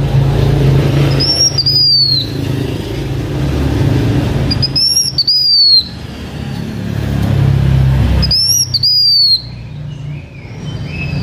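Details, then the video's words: Blue-winged minla in H'Mông decoy singing: three loud, high whistled phrases, each rising briefly then sliding downward, repeated about every three and a half seconds over a constant low rumble. "Khướu lùn cánh xanh hót mồi"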